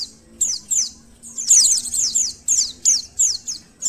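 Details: Indonesian white-eye (pleci) recording used to provoke emotion and arousal: a steady series of bright, high falling chirps, about three per second, over a faint low hum.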